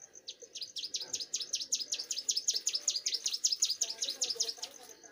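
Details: Young bar-winged prinia singing actively: a fast, regular train of bright, high, sharply inflected notes, about three per second, steady in loudness, over a faint thin high tone and quiet low background.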